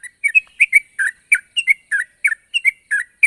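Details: Calling sooty-headed bulbul challenging a rival, repeating paired liquid, slurred whistles about every third of a second in a steady, bouncing rhythm over a faint high whine.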